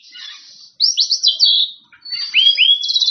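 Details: An Oriental magpie-robin sings loud ngeplong style to call rivals: a brief hiss, a quick burst of four sharp downslurred whistles, a gap, then two clean rising whistles and a high trill.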